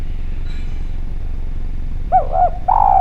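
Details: Spotted dove from Java on a clear lure recording: after two quiet seconds of low rumble, a pair of short looped coos follows, then the start of a longer falling coo.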